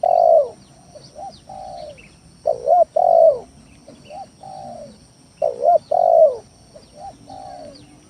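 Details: Spotted dove lure song, calling steadily to pressure rivals and prompt quiet doves to call: three loud phrases of mellow, husky coos, each followed by softer answering coos, with faint high chirps of small birds behind.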